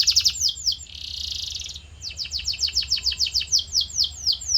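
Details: Tutor recording of canary song for training: a fast chattering trill, a harsh buzzy stretch lasting under a second, then a steady series of falling high notes, several per second.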